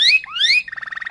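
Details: Malinois canary song fragment: two rising slurred whistles followed by a rapid even trill of short bubbling notes.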